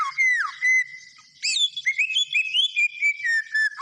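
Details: Energetic song of a white-rumped shama: clear whistled notes, a falling slur, then a series of varied whistles that rise and fall between short pauses, with no other sounds.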